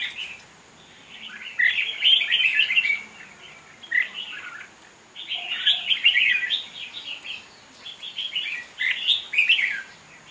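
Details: Caged wild-caught red-whiskered bulbul at a bird singing contest in Vietnam, 5 November 2023: three bursts of rich, rapid warbled phrases, each about one to one and a half seconds, separated by short pauses.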